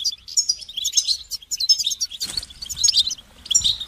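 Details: Goldfinch singing a continuous stream of high twittering, tinkling and buzzy notes in quick succession, with a short pause and a low rustle midway before the rapid chatter resumes.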